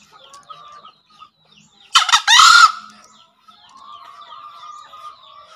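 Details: Green junglefowl crowing once, used as a tutor sound for newly caught or quiet birds: a loud, harsh two-part crow lasting under a second, a short burst then a longer rasping note, over steady chirping of many small birds.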